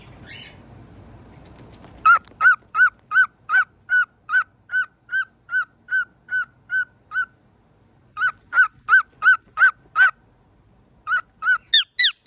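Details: A pet cockatiel, recorded up close, gives a run of short, nasal honks and squeaks, several a second, broken by brief pauses.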